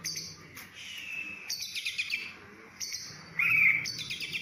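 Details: Oriental magpie-robin giving high sustained whistled notes and a loud, rapid warbled phrase near the end, with hissing noise in the background.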